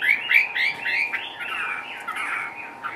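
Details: Caged Chinese hwamei hopping about, giving a short burst of rich, slurred whistles repeated rapidly, about four per second, then softer warbling notes fading out.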